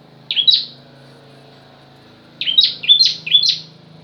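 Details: Bar-winged prinia (ciblek) singing a pranjak variation: one sharp, high, down-hooked chirp, a pause, then a quick run of four similar bright chirps. Faint low hum underneath.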